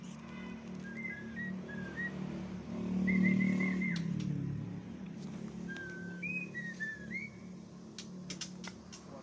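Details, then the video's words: Champion white-rumped shama singing fiercely during outdoor airing (umbaran): short clear whistled notes, some slurred and falling, in scattered phrases over a steady low hum and faint clicks. "Murai Juara Mengamuk di Umbaran"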